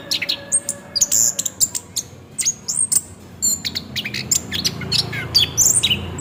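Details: Orange-headed thrush song used as a lure to make the bird sing, in the rolling ngerol style: rapid varied high whistles, chips and sharp slurred notes tumbling together, over a low steady hum.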